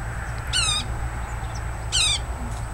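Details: Wild yellow-bellied sapsucker at a tree beside a house in Woodlawn, Montgomery County, Tennessee, giving two short nasal, harmonic-rich downslurred calls about 1.4 seconds apart over steady low background hum.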